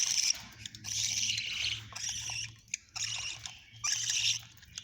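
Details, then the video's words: Pet budgerigar chicks give raspy, hissing, high-pitched bursts, four or five within a few seconds, over a faint low hum. "Filhotes de periquitos australianos"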